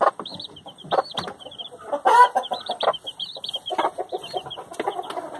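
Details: A hen with chicks: the chicks chirp in quick, high, rising-falling peeps over the hen's deeper, muffled clucking. A louder, rougher burst comes near the middle.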